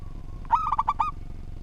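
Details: Local zebra dove (perkutut) with a well-structured song, used as training audio. A faint lead-in tone leads into one quick cascade of five bubbling coo notes lasting about half a second, with a low hum behind.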